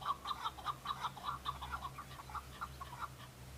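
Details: A male chukar partridge calling back to other males in fighting season, displaying to attract females; evenly spaced chuk notes, roughly 100 per minute, slowing slightly toward the end, with a low hum behind.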